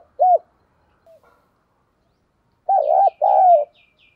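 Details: Spotted dove used as a caged decoy to make doves coo, 'giọng thổ' voice: a single arched coo, a pause, then a doubled coo and a long falling note, with faint high twittering of other birds behind.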